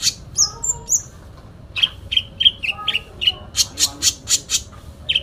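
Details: Fighting song from a sooty-headed bulbul with full fill phrases: thin downslurred whistles, then a string of short pulsed chirps, closing with a row of brisk, evenly spaced notes.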